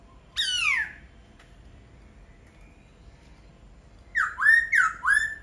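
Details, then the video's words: Laughingthrush singing: a loud descending whistled slur, a long pause, then three rich rising-and-falling whistled phrases in quick succession, indoors. "Khướu hót cực hay."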